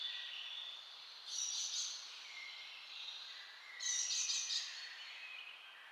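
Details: Blue-cheeked bee-eater in Kanhatti Garden, Soan Sakesar, giving two rolling, burry bursts about two and a half seconds apart over a steady high insect-like hum.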